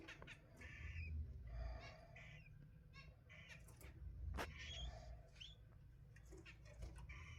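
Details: Albino cockatiel chicks give short, rising chirps with harmonic overtones, repeated irregularly over a steady low rumble.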